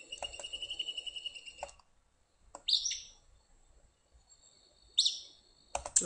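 Acadian flycatcher giving sharp, explosive two-syllable 'pizza' calls, high and rising, repeated about every two seconds, after a brief run of high pulsed chirps.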